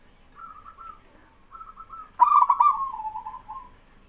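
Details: Male zebra dove, local stock, singing while other doves answer. Two soft beaded coo phrases come first, then a loud stuttering trilled coo trailing off into a purring, wavering tail.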